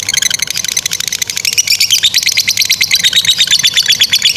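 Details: A lovebird's extended 'ngekek' song, meant for tutoring other lovebirds: harsh, high, rattling chirps repeated quickly and continuously, growing louder and more pulsed toward the end.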